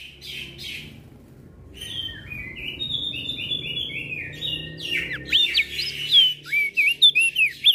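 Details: Javan grey-throated white-eye singing ngeplong amid other birds it answers. A stepped, descending buzzy series from another singer is followed by crisp, twisting whistles in quick succession.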